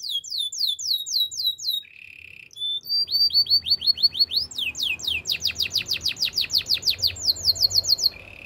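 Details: Canary training song: rapid series of falling notes, a brief buzzy phrase, then a long, fast rolling trill of repeated whistles before a final low buzz.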